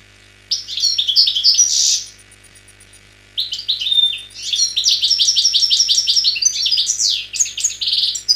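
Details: A wild Algerian goldfinch from a 2003 recording gives a short burst of tinkling twitters ending in a buzzy note, pauses over a second, then delivers a long run of rapid, ringing, repeated chirps and trills.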